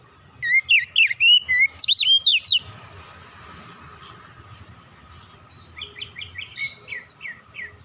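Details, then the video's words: Oriental magpie-robin song, a lure to set other birds singing: loud looping whistles repeated rapidly for two seconds, a pause with low hum, then a softer series of short descending chirps. "kicauan nyantai pancingan ampuh Kacer bahan cepat gacor"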